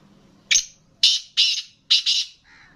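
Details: Kala teetar, a captive black francolin for sale, utters a loud grating phrase: a sharp opening note, two rasping bursts, then a doubled one, followed by a soft low trailing note.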